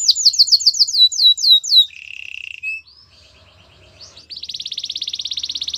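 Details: Canary training song: a run of sharp downslurred whistles, a short low buzzy trill, quieter scattered notes, then a long fast high rattle to the end.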